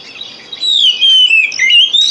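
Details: Lure song of a white-rumped shama, played to encourage reluctant kept birds to sing: after a brief quiet start, a loud sustained whistled phrase that bends down and up, with quick chirpy flourishes layered above.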